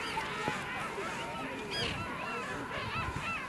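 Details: Colony of King penguins calling at Fortuna Bay on South Georgia, several birds at once giving quavering, trumpeting phrases that waver up and down, with a brief higher upsweep partway through.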